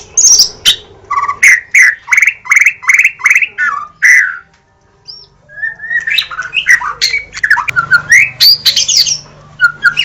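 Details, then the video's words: White-rumped shama: a series of about eight loud, evenly spaced whistled notes, a short silence, then a fast, jumbled medley of whistles and chatter. "SUARA BURUNG - Murai batu"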